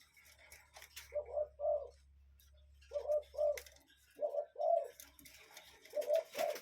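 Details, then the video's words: Cuckoo in a natural setting giving four evenly spaced pairs of mellow, descending two-note calls, about one pair every 1.5 seconds, with a low droning hum early on and light clicks. "Relaxing Cuckoo Bird Sound in Nature"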